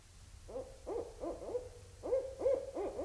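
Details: Barred owls at Indian Cave, autumn 2012; loud, rapid cackling hoots in two bursts, each note arching up and sliding down, roughly three per second, over a quiet background.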